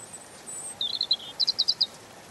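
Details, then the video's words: European robin in gentle song: a long, very high thin note, then a short trilled run of notes and a burst of five or six bright, evenly spaced chirps, against a soft hiss. "Ласковое пение Зарянки(малиновки)"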